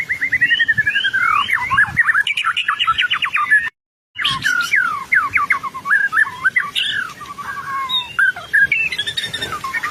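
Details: White-rumped shama in strong song, used as a master recording to prompt a response: dense runs of rapid whistled trills and sweeping notes, broken by a short silent cut, then more varied phrases.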